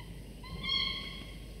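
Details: Nestling falcons, two chicks 24–25 days after hatching, fed prey by the male in the morning; a single drawn-out, slightly rising whine with a bright harmonic stack, lasting under a second.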